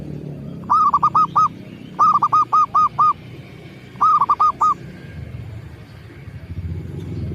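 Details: Local zebra dove (perkutut lokal) lure call: three bursts of rapid, rounded cooing notes, four to six per burst, each note a short arched coo, separated by pauses of about a second over low background rumble.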